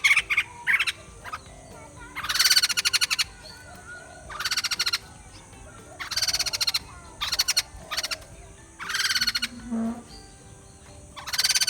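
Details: Repeated bursts of harsh, fast rattling chatter from a white-crested laughingthrush, each lasting under a second and separated by short pauses, with faint thin notes in between.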